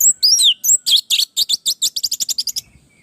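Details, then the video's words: Orange-headed thrush in full song, used to teach and draw answers from other birds: a few swooping whistled notes open, then a rapid series of high clipped chirps that speeds up and shortens before fading. "Suara burung Anis merah gacor masteran Anis pancingan suara burung Anis merah"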